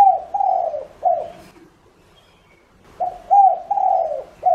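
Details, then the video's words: Soft, throaty coos from a decoy spotted dove luring other doves: two phrases of three to four notes, the long middle note gliding down, with a quiet gap between them. "Cu gáy mồi cây GÁY GỌI cực hay kích bổi nhanh nổi hiệu quả nhất"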